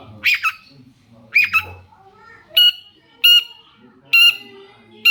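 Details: Cendet, the long-tailed shrike, singing as a lure to draw replies from other shrikes; harsh, ringing double notes, then single strident calls spaced roughly a second apart over a quiet background.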